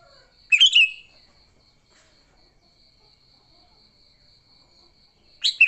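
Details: A sooty-headed bulbul sings its combative song, used to lure others: two bubbly whistled bursts about five seconds apart, with a steady pulsing high insect buzz in between.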